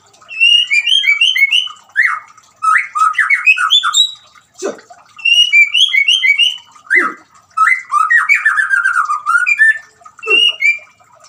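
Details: White-rumped shama song, offered alongside trickling water to prompt silent shamas to sing: bursts of rich, varied whistles and quick slurred phrases, each lasting a second or two, separated by short pauses and sharp clicks.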